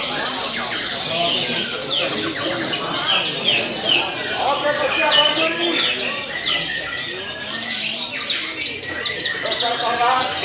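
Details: Caged Javan bush lark singing vigorously on the hanging perch at a song competition, its song richly filled. Dense, rapid high chirps, trills and whistled notes run continuously, with crowd voices and background chatter beneath.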